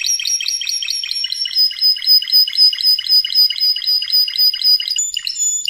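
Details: Canary training song from a Spanish Timbrado: a steady, evenly spaced metallic trill of about four pulses a second, held for several seconds, ending with a brief higher clear note.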